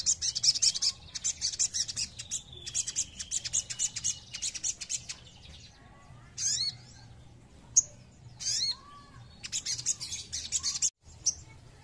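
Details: Ruby-cheeked sunbird song meant to stir other birds to sing: high, thin twittering bursts in quick series, broken by short pauses and a few isolated sharp chips, with a faint low hum underneath.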